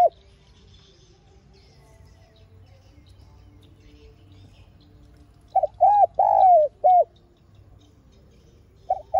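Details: Spotted dove decoy call, calling and urging, used to stimulate doves to call: after a long hush comes one soft phrase of four hollow coos, the third drawn out and falling, and a new phrase begins at the end.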